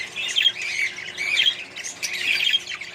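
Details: Budgerigars kept in a colony with other birds give short warbling phrases and squeaky twitters in quick groups, softer than a full chorus.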